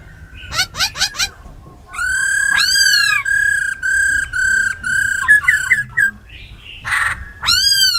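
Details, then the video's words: Caged laughingthrushes, a female giving a churring call with a black laughingthrush singing in a wild-forest style: sharp downslurred notes, then a run of loud harmonic whistles near one pitch, broken by short chirps and a harsh burst. "Tiếng chim khướu mái ro khẹt + khướu mun thuần hót giọng rừng"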